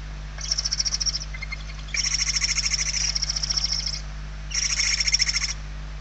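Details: Inside a barn owl nest in Spain on 28 November 2023, hungry chicks beg loudly: three bouts of coarse, pulsing hisses, each about one to two seconds long, separated by short gaps, with a constant low electrical hum beneath.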